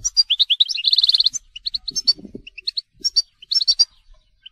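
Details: Telqam-style goldfinch song: a fast, bubbling series of chirps rolling into a buzzy trill, then scattered bright twitters and whistled notes, with soft low rustling in the background.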